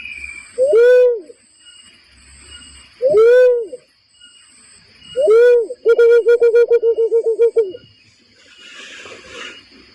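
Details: Barred cuckoo-dove lure call for trapping birds: three deep swooping hoots, then a fast stuttering run of about a dozen short hooting notes, with steady high tones and a brief hiss at the end.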